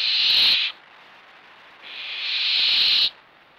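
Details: Young barn owls on a perch, being fed, give two harsh, breathy hisses: a short burst, then a longer one that swells and cuts off abruptly; background otherwise quiet.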